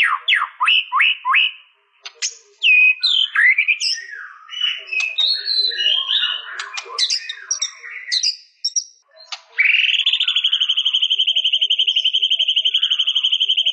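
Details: White-rumped shama singing quick downslurred notes, then a jumble of varied chirps and whistles after a brief pause, ending in a long, sustained, buzzy high trill.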